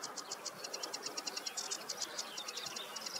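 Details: Sedge warbler singing on a meadow on a warm morning on 2 July 2024: a fast, steady stream of high, rattling, buzzy notes pulsing several times a second, over a dense hiss of background noise.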